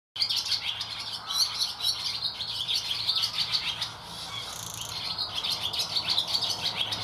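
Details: Barn swallows chirping loudly inside a shed on Getterön, 17 May 2018: a dense, continuous chatter of high twittering notes and rapid buzzy trills from several birds, with no pauses.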